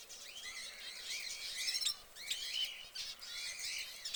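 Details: An orange canary kept in a cage gives bright, high chirps and short twittering phrases. The notes are quick, some rising and some falling, and come in bursts with brief pauses between them. A faint steady hum sits underneath.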